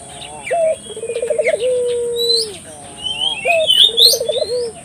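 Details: Puter dove calling to stir local doves into calling: a short note, a rippling trill and a very long held coo, then a second trill phrase, while other birds give sharp high whistled chirps and a high whine persists.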